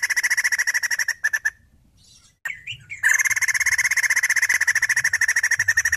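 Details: Rapid pulsed chatter from a female white-crested laughingthrush, a steady run of notes broken by a pause and a few rising squeaky notes, then resuming fast and strong.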